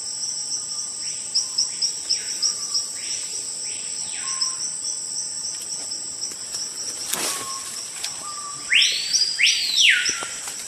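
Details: Screaming piha calling in forest, said to start up when a large animal or person enters its territory: several faint distant upswept whistles, a sharp click, then a loud close pair of whistles rising and falling over steady insect drone.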